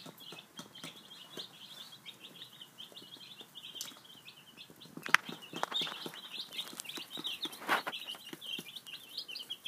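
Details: Five-day-old chicken chicks at breakfast, peeping continuously in short high chirps that overlap from many birds, with scattered taps and clicks of pecking throughout.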